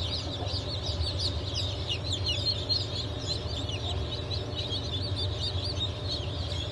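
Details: Brahma and Wyandotte chicks, just hatched on 4 August 2024, give continuous shrill peeps, many voices overlapping into a busy chatter over a constant low droning hum.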